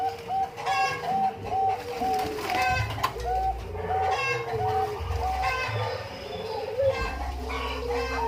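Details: Bangkok-type zebra doves at an umbaran: a run of short, evenly spaced cooing notes repeated steadily, with lower coos from other doves overlapping, and chickens clucking and a rooster crowing through the background.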